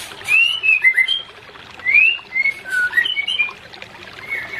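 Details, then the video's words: Song of a white-rumped shama played to stir a pair that is out of breeding condition: a series of short fluted whistled phrases, some rising and some falling, with brief pauses between groups. "Terapi Cepat untuk menaikan pasangan murai Batu yg Tidak Birahi"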